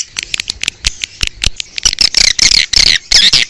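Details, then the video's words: Calls used to attract swiftlets, recorded outdoors: scattered short clicking ticks build into dense, shrill buzzy chirps with bending whistled tones, coming in quick bursts toward the end. "Âm thanh chim yến ngoài trời - Âm thanh gọi chim yến"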